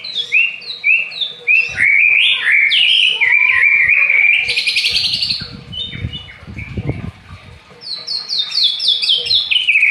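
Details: Aceh white-rumped shama delivering a loud, varied song: rapid series of stepped whistles and chattering notes, a rich warbled passage, then a descending run of repeated sharp notes; faint low thumps in the background.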